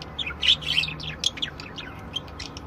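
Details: Different budgerigars singing a busy, buzzy warble: tangled squeaky chirps and chattering notes packed closely together, loudest at the start, then thinning into scattered clicks.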